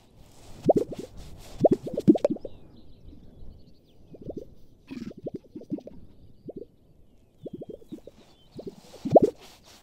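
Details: Gunnison sage-grouse males displaying at a lek in western Colorado in early spring give low popping, plopping bursts in quick clusters, each group a second or so long, repeated several times.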